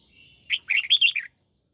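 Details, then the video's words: Red-whiskered bulbul in training singing a '89 xoắn tít' phrase: a lively string of six warbled, slurred whistles, rising then dipping, finished within about three-quarters of a second. "Luyện chào mào hót giọng 89 xoắn tít nghe cực phê"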